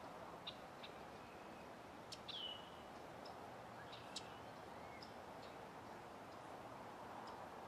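Male Blue-winged Teal giving a few thin, high, downslurred whistles and short peeps, scattered and faint over a steady hiss of background noise.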